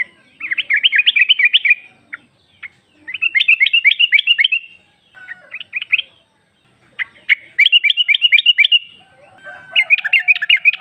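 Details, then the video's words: Female yellow-vented bulbul calling to a male, used as a lure: rhythmic bursts of rapid, evenly spaced bright chirps, each run lasting about a second and a half, repeated several times. "Trucuk betina memanggil jantan"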